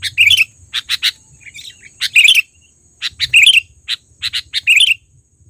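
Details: Loud calling from a trained sooty-headed bulbul used as a lure: bright chirps and rolling warbled phrases in uneven groups of two or three, pausing briefly between bursts, with a soft low rumble behind.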